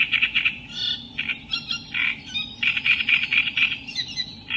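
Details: Reed warbler, genus Acrocephalus, in loud continuous song: a rapid, jerky chatter of harsh grating notes and short churrs, varied and unbroken for over four seconds, with a faint low hum underneath.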